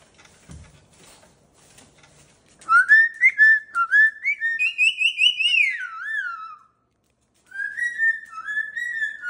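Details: Indoor pet cockatoo greeting with a clear whistled phrase that rises, holds high, then slides down in quick pulsed notes. After a short pause, a lower wavering whistle follows. Faint rustling comes before the whistling.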